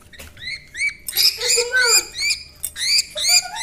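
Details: Pet parrot at home beside a baby, producing varied chattering calls: sharp rising chirps, a lower warbling swoop, then more harsh squeaky notes in quick succession.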